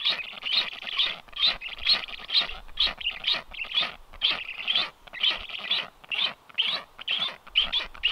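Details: Livestream recording from a black stork nest on 9 July 2023 as unringed strange storks land; hoarse, hissing calls repeat rhythmically about twice a second for several seconds.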